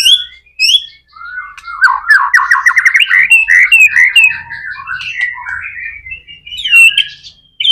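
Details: White-rumped shama in continuous varied song, meant to lure other shamas to sing: high whistled notes, a dense rattling stretch of rapid warbles, then long wandering whistled phrases and a final sharp high note.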